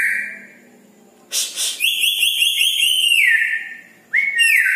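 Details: Night-time song of an actively singing red-breasted parakeet: a level whistle, then harsh bursts, a pulsed whistled trill that slides downward, and a final rising whistled phrase.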